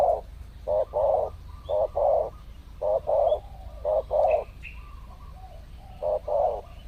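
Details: Wild spotted doves being lured, believed to be in mating season and appearing in pairs; five steady coo phrases, a clipped first note then a drawn-out throaty note, about one second apart, faint high chirps between.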